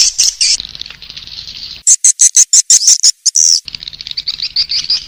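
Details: Swiftlet lure call with high buzzy twittering, a burst of loud sharp chirps in the middle, and a steady low hum underneath.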